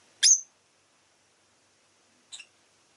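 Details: Rosy-faced lovebird uttering one loud, piercing chirp, followed two seconds later by a softer, quick double chirp.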